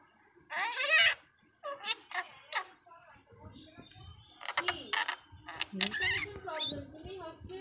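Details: A pet common myna learning to talk gives harsh, squeaky, speech-like phrases in short bursts, with buzzy chatters between, seemingly imitating human talk indoors.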